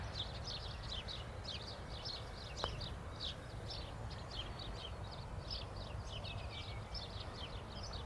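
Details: Peregrine falcons (Falco peregrinus) copulating in Madrid on 26 February 2021. Harsh, high chittering at about three notes a second, steady throughout, over constant low traffic rumble. Recorded from far away, possibly the female calling from a weathervane.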